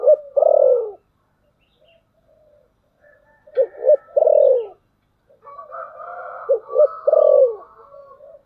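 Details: Decoy spotted dove in thunder-voice coo style, luring wild birds: a strong falling coo, then two quick notes and a loud descending coo, repeated three times with soft wavering tones in between.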